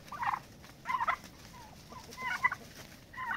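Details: Fighting turkeys establishing dominance in a pecking order; loud rattling gobbles in bursts about once a second, with softer short descending whistled notes between them.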